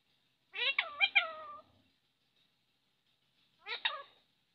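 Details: Parrot voicing a wavering multi-syllable word with bending tones, silence of about two seconds, then a short clipped two-note phrase; no other sounds.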